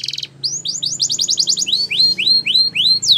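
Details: Spanish Timbrado canary in a training song: a short buzzy trill, then a quick string of rising notes slowing into evenly spaced, arched whistled slurs.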